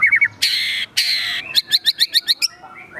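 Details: Agitated singing white-rumped shama, gacor emosi style with mimicked phrases: three quick whistles, two long harsh rasping bursts, then about eight sharp ringing notes in steady rhythm.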